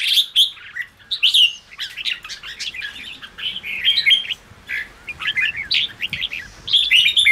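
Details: Red-whiskered bulbul song used to fire up newly caught caged bulbuls: bright, rapid whistled phrases with sharp chirps, bursts coming in quick clusters with short gaps, clean background.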